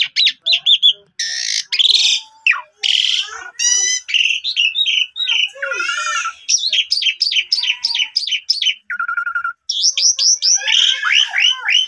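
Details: Energetic lure recording of an Asian pied starling, used to get a silent bird singing again: dense, high chattering notes, harsh churring blocks, clipped whistles and a short low buzzy note, pouring out almost nonstop.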